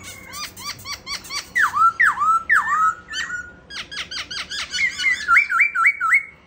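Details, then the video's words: Caged White-cheeked laughingthrush singing as it dances: sharp clicking notes, loud swooping downslurred whistles, more clipped chips, then a rapid string of about six looping whistles. "Khướu bạc má hót múa"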